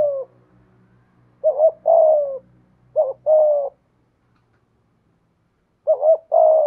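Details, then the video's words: Decoy spotted dove in the 'giọng thổ' voice: three low two-part coo phrases, each a short wavering note followed by a sustained falling coo. A faint low hum is heard at the start, then silence between phrases. "Chim Cu Mồi/ cu gay giong tho cuc dinh"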